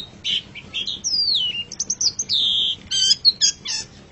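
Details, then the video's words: Long-tailed shrike song from a masteran track: a varied medley of chirps, a long descending whistle, a sustained level whistle, then rapid buzzy stacked notes, all high-pitched and continuous. "Masteran Suara Pentet Cendet"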